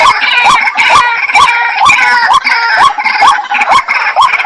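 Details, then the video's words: White-breasted waterhen calling, bright rising notes about twice per second set against a dense, harsh chorus of overlapping nasal sounds. "Jal murgi bird video & sound effect || water hen bird video"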